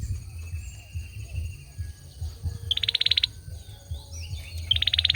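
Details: Male olive-backed sunbird in song: after a quieter start, two high rapid trills, each with a short introductory note followed by quick buzzy pulses. Faint thin whistles and a continuous low hum sit in the background.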